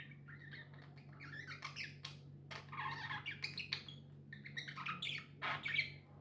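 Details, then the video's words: Pet budgerigars kept together, chattering softly: a quiet, continuous warble of scratchy chirps and short squeaky notes, with louder bursts toward the end over a steady low electrical hum. "Budgies amazing love & chirping sounds"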